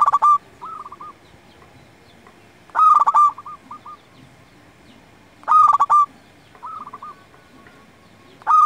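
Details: Zebra dove of local stock cooing steadily, meant for luring wild doves and tutoring quiet captive ones: rolling, bubbling coo phrases recur about every two and a half seconds, each trailed by a few softer short coos, with light background noise.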